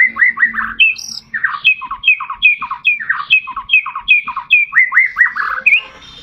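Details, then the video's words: White-rumped shama song used as a lure to stimulate captive shamas to sing: varied clear whistled phrases, short down-slurred and hooked notes repeated in quick series, with brief higher squeaky notes and light background clicks. "pancingan murai batu mempercepat murai batu ngeplong dan gacor"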